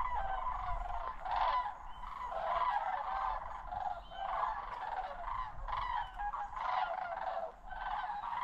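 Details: A migrating flock of sandhill cranes flying overhead at Osoyoos, South Okanagan, British Columbia, in the September–October migration gives loud, rolling, rattling bugles that overlap without a break, swelling and fading in waves over a low rumble.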